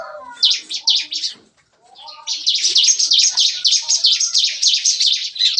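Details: In a breeding aviary cage, bar-winged prinias (ciblek kristal) sing in the morning with the rapid-fire 'nembak-nembak' delivery: a few sharp notes, a short silence, then a steady stream of quick, high, buzzy chips.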